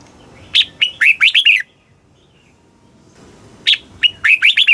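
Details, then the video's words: Red-whiskered bulbul, Thailand, singing the southern master-song style used for teaching young birds and arousing caged ones: a sharp opening note, then a fast run of looping warbles, given twice with a pause between. "เสียงนกกรงหัวจุก ร้อง ริก เปิดให้นกฟัง ยั่วให้นกคึกจัด"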